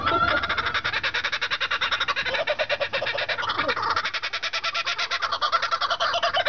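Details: Laughing kookaburras (Dacelo novaeguineae) at the Temecula Balloon & Wine Festival in 2011 give a loud, harsh cackling laugh, a rapid, steady chatter of rough pulses running without pause.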